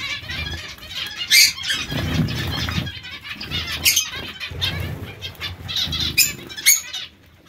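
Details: Zebra finches living in a colony call in scattered sharp nasal bursts over several seconds, quieter chatter between, and low flapping of wings, ending almost silent.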